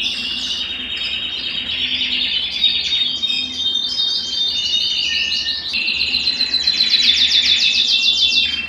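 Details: Belgian canary singing, song used to stimulate males and bring females into breeding condition; mixed warbles and buzzy trills, a low whistle, then a strong stretch of rapid repeated high syllables.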